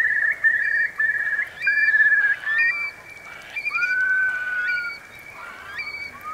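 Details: ['Eurasian curlews sheltering from a big high tide in the Marquenterre meadows, Bay of Somme, France, October 2021. Quick bubbling trills give way to one long, smoothly rising whistle, with scattered high calls from other birds.']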